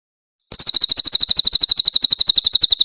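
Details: Cililin (Grey-headed canary-flycatcher) master recording of harsh 'tembakan kasar' song, meant for tutoring young magpie-robins. A brief, intense run of sharp, high-pitched notes comes in quick regular succession.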